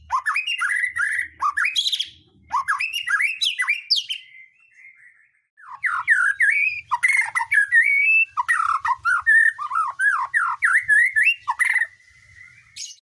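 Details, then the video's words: Continuous varied song of a white-rumped shama, played to draw other birds into singing: fluid whistled phrases and quick chattering runs in bursts of a few seconds, separated by short pauses, ending with a drawn-out whistle. "Pancingan murai batu mendongkrak keluar isian"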